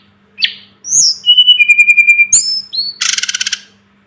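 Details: Sunda robin, local name tledekan gunung, tutor recording for training birds: a sharp note and a high slurred whistle, then level whistles and a rapid pulsed series of about ten notes. It ends with a dense buzzy trill, with a faint hum throughout.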